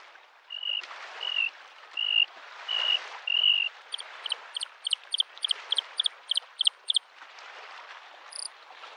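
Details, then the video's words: Spring lakeside Bluethroat song: several level whistled notes, then a fast rhythmic series of high ringing double notes, about eight in a row, over a constant wash of waves. "The sound of waves and the singing of the bird Varakushki"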